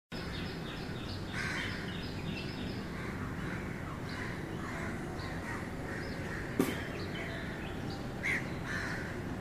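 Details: Indian roller recorded 22 January 2019 giving a few harsh, crow-like croaks in short bursts over a steady rumble of wind or distant traffic.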